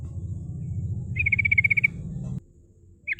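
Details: Sooty-headed bulbul lure song meant to call rivals, 'ngerol' style: a steady trill of rapid, level notes over a loud low rumble, then a short slurred phrase after the noise stops.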